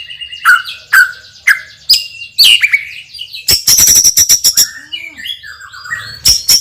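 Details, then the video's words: Loud song of a champion white-rumped shama with a sharp repertoire: several falling whistles about half a second apart, then a burst of rapid clicks and a rattle, followed by softer warbled notes. "MURAI BATU juara isian super PEDAS_suara lantang dan keras"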